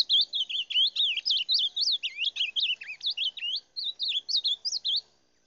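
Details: Continuous song of a rufous-bellied thrush: rapid, varied whistled notes with sharp upslurs and downslurs strung together for nearly four seconds, then briefly resuming before silence; no other birds audible.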